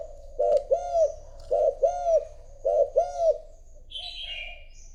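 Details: Decoy spotted dove coaxed into cooing to lure wild doves: three paired coo phrases in quick succession, each a short note then a longer arched one, about a second apart, followed by a brief high chirping sound.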